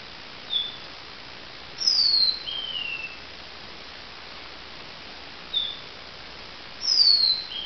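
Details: Lavender waxbill at dawn, 2016, repeating the same phrase twice about five seconds apart: a tiny high pip followed by a long, thin, downward-sliding whistle and a softer lower falling tail, over faint hiss.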